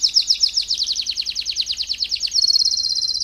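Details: ['Canary singing for the schooling of young canaries: a fast rolling trill of slurred high notes that gives way to a smooth, rapidly pulsed whistled tour at a slightly lower pitch.']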